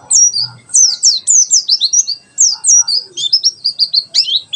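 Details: White-eye (pleci) singing in the rapid 'tembakan sejalur' style, used as a tutor recording for birds learning wild-type song: dense bursts of high, thin chirps and sweeping notes, fast and tumbling, with brief pauses between phrases.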